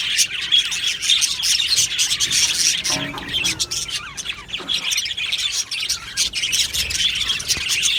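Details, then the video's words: Aviary flock of Australian budgies chirping and singing: busy high twittering and scratchy warbles, with a brief lower murmur partway through before the shrill chatter resumes. "Beautiful Happy Budgie singing and chirping sounds"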